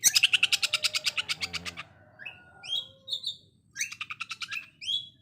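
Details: Oriental magpie-robin konslet song, coarse sewing-machine-like shots: a long opening rattle of about fifteen evenly spaced pulses slowing slightly, then soft chirps and two shorter stuttering bursts.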